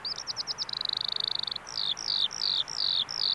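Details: Eurasian skylark singing at a bulb farm in Saanich, British Columbia: quick chirped notes, then a fast trill, followed by a series of slurred descending whistles about every third of a second.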